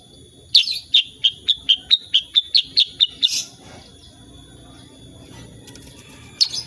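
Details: Unedited recording of a sooty-headed bulbul in 'tembakan' shooting song: roughly twelve sharp, high, evenly spaced chips delivered over three seconds, ending in a louder burst, then quiet with a steady thin electronic hum.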